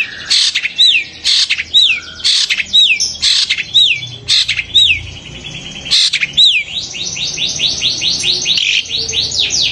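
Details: Long-tailed shrike giving harsh, grating bursts mixed with swooping whistled notes, about two per second, ending in a fast run of rising chattering notes; this scream is said to excite other shrikes into song.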